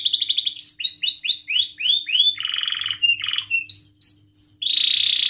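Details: Singing canary, played to prompt other canaries: quick trills, a row of rising-and-falling whistled slurs, buzzy rolling phrases and higher whistles, ending in a steady buzz.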